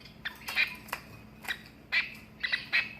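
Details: Captive long-tailed finch (shafttail finch) giving the crow-like sound that only the male makes in courtship, housed in a large flight: harsh, raspy squawks in quick bursts, some doubled, loud for such a tiny bird, over a faint background hum.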